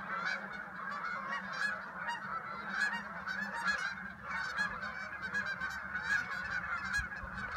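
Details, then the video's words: A large gathering of geese honking near a house, as they do when returning each spring and fall; overlapping nasal honks swell and fade in waves over a constant background murmur of the flock. "The return of the Geese"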